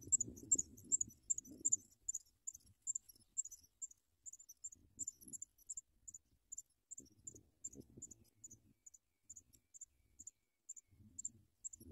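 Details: Young Sprague's pipits being fed big worms; evenly paced, thin high peeps, about two or three a second, continue throughout, with intermittent low rustling and bumping sounds.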